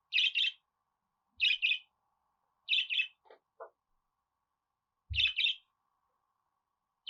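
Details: Budgerigar chirps in quick doubled bursts, repeated roughly every one to two seconds, with a couple of low thuds and a brief lower note between them.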